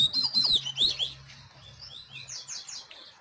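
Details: Double-collared seedeater singing: quick bursts of high, sharp chirps and short slurred notes, bright and jumbled at first, then softer descending whistled phrases, over a faint low hum.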